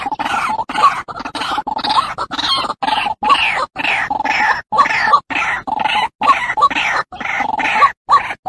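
White-breasted Waterhen giving harsh, croaking notes in a steady run, about one every one to two seconds, broken by brief silences.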